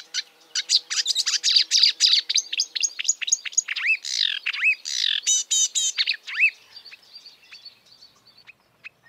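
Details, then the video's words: Marsh warbler in the wild delivering a dense, rapid chatter of high ticks, buzzes and looping slurred notes that thins out toward the end, with a faint low hum at first. "kicauan merdu burung marsh warbler / kerak basi di alam bebas"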